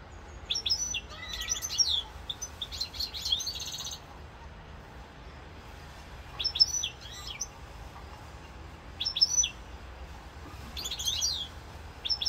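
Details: European goldfinch in Corsica, 7 November 2022, delivering a dense opening stretch of jangling twitters and a brief buzzy trill, then short isolated bursts of high tinkling notes every couple of seconds.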